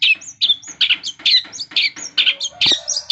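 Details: Long-tailed shrike in full song imitating a lovebird, linked with kapas tembak phrases: rapid, harsh chattering notes repeated about twice a second, high and scratchy, with one brief lower buzzy burst near the end.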